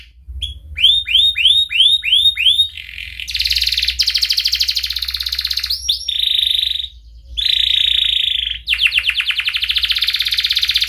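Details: Canary singing as a lure for young canaries learning to sing: a run of looping upswept whistles, then several long buzzy trills broken by brief pauses, with a low hum in the background.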